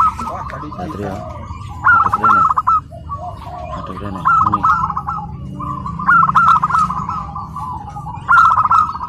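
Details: Tame local zebra dove kept at home, singing at a bird contest in Karawang, Indonesia: bursts of rapid rolling coos with pauses between phrases, over steady crowd noise and distant voices.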